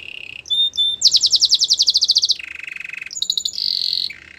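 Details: Canary song with a soft low trill, a short high piping phrase, then a loud rapid pulsed trill, a lower buzzing roll, a high stutter, and a final sustained trill.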